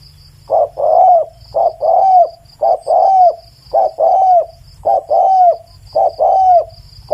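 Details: Spotted dove song, loud and clear, a steady run of paired coos: a short note followed by a longer falling one, repeated roughly every second, over a thin constant high whine.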